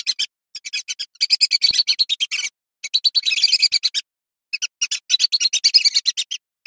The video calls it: Burung Blibis betina saung_suara jernih